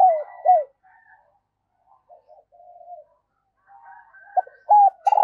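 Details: Female dove calling to stimulate males: two loud drooping coos, a stretch of soft low murmurs, then another pair of strong coos ending in a brief sharp click.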